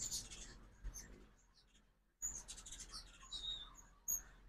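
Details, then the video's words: Migrating ruby-throated hummingbirds at an Oxford, Mississippi feeder in the fall, morning: a short burst of high chips, a near-silent pause, then renewed sharp twittering with one brief whistled slide and a final loud chip. "2024 Hummingbird Fall Migration Morning Part 1"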